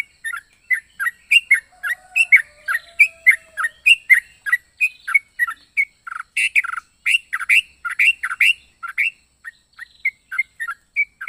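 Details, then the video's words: Yellow-vented bulbul with an odd, varied song: steady run of brief chirping and squeaky notes, roughly three each second, some dropping in pitch, with busier stretches after six seconds. "Burung trucuk unik suara aneh"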